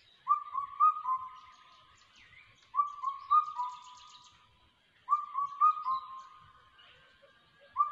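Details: Changeable hawk-eagle chick giving loud, drawn-out whistled calls with a slightly wavering pitch, delivered in bursts of two or three notes roughly every two and a half seconds, with faint chirps of other birds behind.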